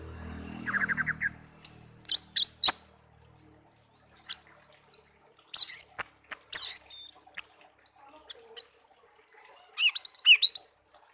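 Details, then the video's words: Tame songbird raised from a chick after being found in a garden, kept one year: a soft low rustle, then high rattling bursts, looping whistles and fast chip series, alternating with quiet gaps. "burung kicau peliharaan"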